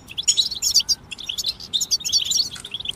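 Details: European goldfinches chirping together, a group song intended to help a goldfinch start singing after moult: rapid, loud, liquid twittering with bright metallic notes, almost continuous, briefly dipping around midway.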